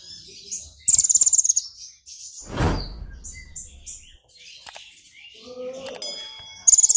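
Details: Brown-throated sunbird, excited and singing strongly with golden grasshopper mimicry: short shrill high trills at the start and end, interrupted by a loud rushing noise burst and scattered faint chirps.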